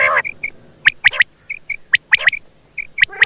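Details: Quail sounds: rapid sharp high pips in uneven clusters, mixed with short, soft, steady whistled notes, and a rough buzzy note at the start.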